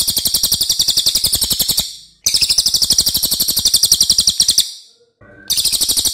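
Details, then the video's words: Racket-tailed Treepie (cililin) singing loudly for use in training other songbirds: two long, shrill, buzzy rattles of fast pulses, each about two seconds, broken by a pause with a faint soft note, then another rattle begins. "MASTERAN CILILIN OKE BANGET"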